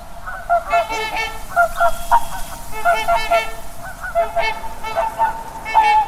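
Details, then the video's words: Swans honking in clear bursts: nasal, bugling two- and three-note calls with strong harmonics, repeated roughly every second, with occasional longer held notes over a quiet background. "listen to the sound swan"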